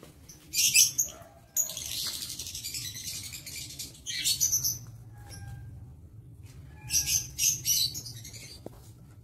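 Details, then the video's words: Lovebirds in an aviary, recorded 22 August 2023, giving bursts of shrill, high chirping in several clusters separated by quiet gaps, over a steady low hum. "Suasana Sekitar Aviary Lovebird"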